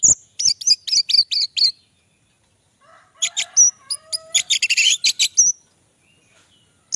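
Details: Orange-headed thrush, known locally as anis merah, recorded on an Android phone in Java, singing loudly: a run of six quick repeated high notes, a pause, then a dense burst of varied chattering phrases.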